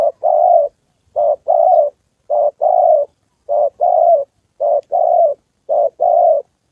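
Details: Decoy spotted dove in Gia Lai, Vietnam, trained during the 2 September holiday while a wild male and a female appear: steady phrases of a short coo and a longer coo, about six in a row, nearly one per second.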